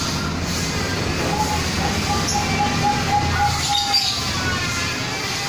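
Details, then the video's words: Duet of two zebra doves, a local bird and a Bangkok-type bird, cooing in a soft, rapid series of short, even notes over a steady background rumble like passing traffic. "duet burung perkutut lokal dan perkutut bangkok"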